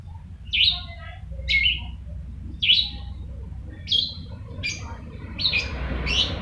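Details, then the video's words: Persistently singing long-tailed shrike uttering seven short, grating squawk-like notes at about one-second intervals, the last ones closer together, with steady low hum and some added noise near the end. "Burung Pentet Gacor"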